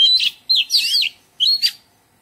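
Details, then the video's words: In a garden, an Oriental magpie-robin delivers melodious song: a burst of buzzy notes, then a looping whistled phrase, a pause, and a final short whistle with a rough rasping note. "Oriental Magpie Robin - Melodious birdsong"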